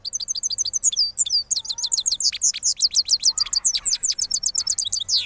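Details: Cross goldfinch after moulting, from Parachinar, delivering rolling song: rapid high twittering notes with sweeping slurs and dense buzzy trills, run almost continuously with no other sounds.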